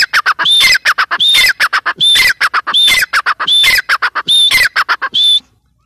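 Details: Rapid, loud calling by a female grey francolin, with repeated phrases of a high whistle followed by grating, clipped squawks, cycling about once every 0.7 seconds and stopping near the end.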